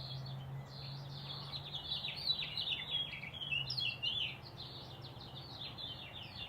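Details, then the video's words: Wild birds singing at sunrise in Green Valley, Arizona, on April 6, 2018, under high clouds, heard through open doors early in the morning: many overlapping quick high chirps and twittering phrases, with a low steady hum in the first four seconds. "birds singing their tail feathers off"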